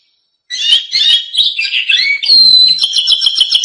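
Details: Canary song for training young canaries: lively, varied warbling phrases, then a clear whistled note breaking into a rapid pulsed trill.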